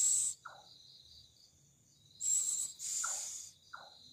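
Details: Loud, eerie night call of a bird: two drawn-out hoarse hissing screeches close together, with a couple of short squeaks, against a continuous high-pitched insect trill.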